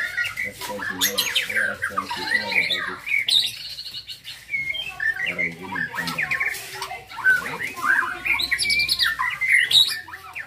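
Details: Young white-rumped shama, a contest bird, singing a busy stream of chattering, clicking and whistled notes with many quick sweeps.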